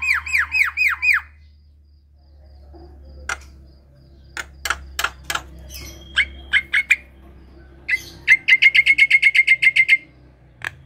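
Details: Javan myna song played as a lure for mynas reluctant to sing: a short series of arched whistled notes, then sparse clicks and harsh chips over a steady low hum, ending in a fast even trill of sharp notes.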